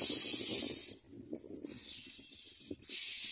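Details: Common myna chicks in the nest give harsh, hissing, raspy begging calls with mouths gaping wide, in three long bursts with short pauses between them.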